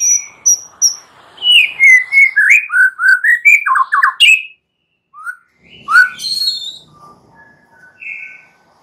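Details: Young forest white-rumped shama singing to provoke a response: a few high thin notes, then a dense chattering run of slurred whistles, a pause, and scattered softer whistled notes.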